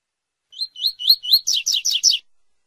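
A quick, high phrase from a double-collared seedeater: a few rising whistled notes, then a run of buzzy, falling notes, about nine in under two seconds.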